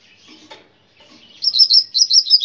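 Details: Coleiro in brown plumage singing in the grego style: a brief high, warbling run of quick twittering notes in the last second, after faint scratchy sounds.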